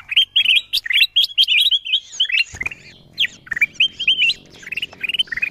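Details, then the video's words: Bulbul (kutilang emas) lure recording meant to bring wild birds down: crisp, rapid chirps grouped in short phrases, with a faint low hum in the background. "Suara pikat kutilang emas memanggil burung liar"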